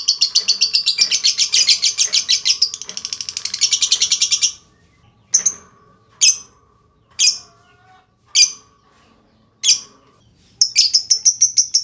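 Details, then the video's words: A lovebird's ngekek, a long trill used to stir other lovebirds into song. Rapid high chattering pulses pour out for over four seconds, then come sharp separate squeaky notes with gaps, then the fast chatter resumes. "Auto Bikin Gacor Burung Lovebird Lain Dengan Pancingan LB Ngetik Lanjut Ngekek Panjang"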